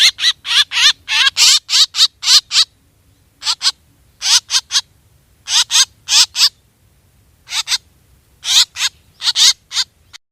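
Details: Black drongo lure recording: clusters of harsh, quavering notes in uneven bursts, separated by short silences.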